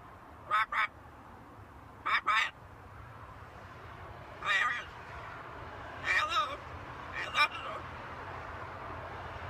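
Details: Talking macaw parrot producing brief raspy word-like syllables, single and paired, spaced a second or two apart over a faint constant background hum.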